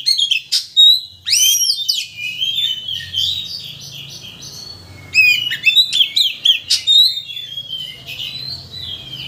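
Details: Oriental magpie-robin song used as a lure to excite a bird into showing its full repertoire: loud whistled sweeps and scratchy chirps in a busy run, softer warbling in the middle, then another burst of sharp rising whistles; faint low hum beneath.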